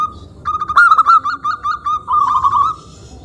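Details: ['Persistent song from a local zebra dove, meant to lure other doves into singing: a string of quick, evenly pitched coos that slows into a longer rolling, slightly falling trill.']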